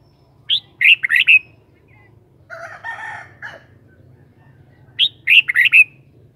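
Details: Red-whiskered bulbul, a kept bird, repeats a quick phrase of four to five bright whistled notes twice, about four seconds apart. Between the phrases comes a rough, harsh, crowing-like sound lasting about a second.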